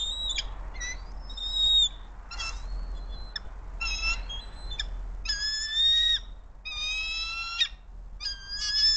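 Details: Bald eagles at the Hays nest on March 28, 2024, as the male brings a gift fish to the female. A run of high, thin, whistled chirps and squeaky chattering bursts, in stacked notes separated by short pauses, over a low steady rumble.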